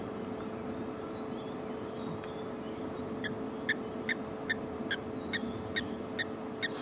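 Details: Blacksmith Lapwing at a dam on a drought-season summer afternoon drive in the African bush, giving about ten sharp metallic 'tink' notes, a bit more than two per second, like a hammer on an anvil, over a low vehicle engine rumble.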